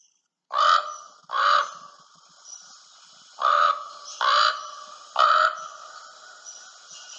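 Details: A common raven gives five deep, hoarse, throaty croaks, spaced unevenly about a second apart, with only faint background hiss; a sound heard in mountains and while camping, deeper than an American crow's.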